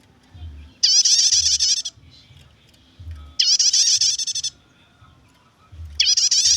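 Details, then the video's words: A prinia chatters in the nyetater style, used to lure or tutor birds. Short bursts of high, rapid, buzzy ticking notes come roughly every two and a half seconds, with quiet low rumbling between them. "suara prenjak nyetater"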